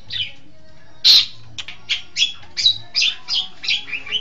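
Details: Long-tailed shrike training song: varied sweet warbled notes, some rising and some falling, run quickly after one loud harsh squawk, gently building in pace.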